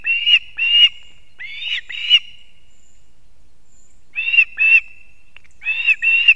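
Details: Osprey at a nest in Kurzeme, Latvia, as the male brings two fish at once to the chicks at 6:40 am on 3 September 2024; loud, shrill piping whistles in paired bursts, pausing, then resuming, with quiet surroundings.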